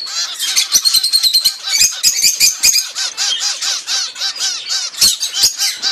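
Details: Mother zebra finch feeding her weeks-old chicks, which beg with fast, repeated rasping chirps in a steady overlapping chorus, several notes per second, punctuated by sharp clicks.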